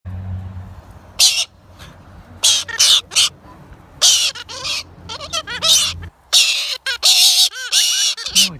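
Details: A pet galah, excited and happy rather than in pain, gives harsh, grating screeches in uneven bursts, about one every second or two, over a low electrical hum.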